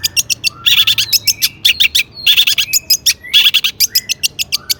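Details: Long-tailed shrike singing an energetic lure song full of mimicked fillers: rapid high ticking clicks broken by dense harsh chattering bursts and short rising whistles, meant to provoke other shrikes into answering.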